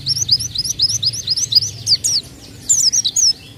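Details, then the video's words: White-eye song played as a lure: a fast run of repeated rising high chirps, about five per second, then a pause and a shorter twittering burst, over a soft low hum. "pancingan bunyi burung pleci bahan"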